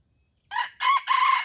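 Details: Aceh red junglefowl crowing, a recording used to lure wild birds: three raspy, forceful syllables in quick succession, the last one drawn out and level, over a faint constant high tone.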